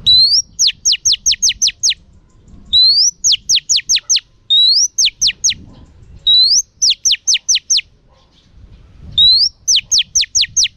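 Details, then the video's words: A female oriental magpie-robin sings to stimulate males, repeating a rising whistle followed by five or six sharp, falling notes about every two seconds, over a faint low rumble. "Choè than mái kích trống hay nhất"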